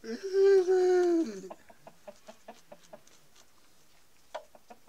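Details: Denizli rooster with a hen during mating gives the end of a crow: a strong, steady, harmonic note lasting just over a second, then a run of soft, evenly spaced clucks and clicks.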